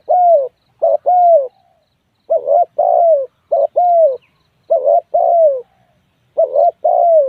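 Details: Spotted dove cooing repeatedly in low, hollow paired notes, a brief note then a longer falling hoot, about six phrases with uneven gaps and no background sounds.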